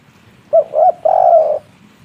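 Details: Clear 'kuk 3' phrase from a wild local spotted dove: a sharp short note, a rounded coo, and a long, slightly trembling coo after a brief gap, then quiet.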